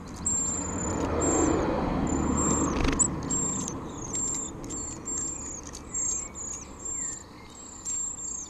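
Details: Eurasian treecreeper parents feed nestlings at a nest deep in a cypress cleft in a central Wales garden: very high, thin, sibilant notes, each slightly falling, repeated in quick succession over a rushing, breezy background.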